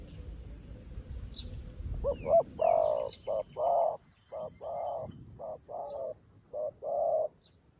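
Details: A spotted dove decoy, new to the job but calling like a seasoned one to attract wild doves. After faint rumbling, a long run of hollow coos follows in short-long groups. Brief high chirps from small birds are heard.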